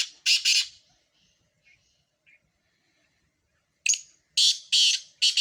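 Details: In a competition of four Sindhi black francolins, a pair of loud harsh notes is followed by faint chirps, then a rasping phrase of four grating notes.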